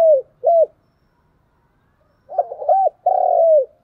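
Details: Spotted dove in Vietnamese fighting-coo display, cu gù đấu, challenging rivals: two short hooked coos, a silent gap, then a rapid stuttering note, another hooked coo and a long falling croon.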